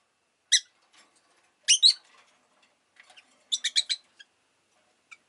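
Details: Pet rosy-faced lovebird (Agapornis roseicollis) gives shrill, harsh chirps in short bursts, three clusters of two to four notes over about five seconds with quiet pauses; city noise, vehicle engines and bicycles may be audible.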